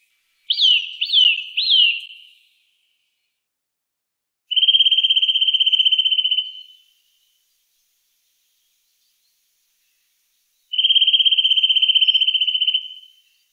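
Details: Eurasian nuthatch in the Wittlicher Tal, 2018: three quick curved whistled notes, then two long, fast, even trills of identical pulses, each lasting about two seconds, separated by silence.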